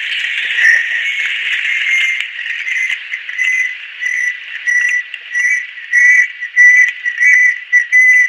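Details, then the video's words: Banded kingfisher, adult female, from Southeast Asian lowland rainforest: a run of whistled notes that starts faint under dense insect hiss and grows louder and clearer, roughly two notes each second. "Banded Kingfisher-Song Bird."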